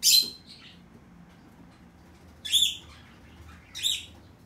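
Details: Fischer's lovebird calling, 6 April 2020: three sharp, high shrieking squawks, one at the start, one midway and one near the end, separated by quiet gaps with a faint lower chirp after the first.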